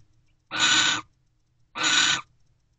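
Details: Owls mating in a nest box before dawn, 5:19 am on 12/28/23: two raspy, noisy screeches, each about half a second long, separated by a pause of just over a second. Quiet low background hum.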